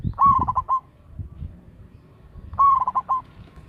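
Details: A local perkutut, or zebra dove, calling strongly as a lure: a fast chain of clipped, mellow coos ending in a tremolo, then a matching phrase about two and a half seconds later, over faint low-pitched noise.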